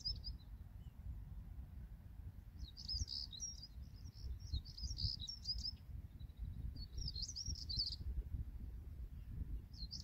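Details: At Greenham Common on 28 March 2022, a European stonechat utters brief bursts of high, dry, scratchy chattering, clustered in a two-second run, then single phrases a few seconds apart; soft wind rumble behind.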